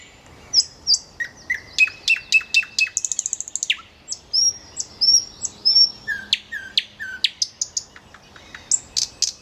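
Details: Common nightingale (Luscinia megarhynchos), song.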